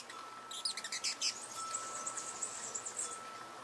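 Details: Amazilia hummingbird calling: a quick burst of sharp, very high chirps, then a thin, high twittering run lasting about two seconds, over a faint steady background hum.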